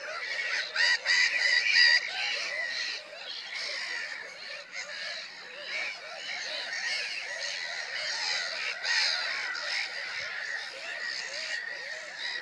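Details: Many Black-headed gulls squawking together, a loud unbroken wall of shrill, rasping cries, strongest in the first two seconds and then holding steady.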